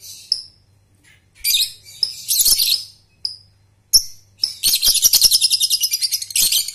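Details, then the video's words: A young lovebird learning ngekek, used as a training lure: clipped high whistled chirps and buzzy bursts lead into a long, fast pulsing trill of rapid repeated notes lasting about two seconds, over a faint hum. "pancingan Lovebird Balibu/paud prospek"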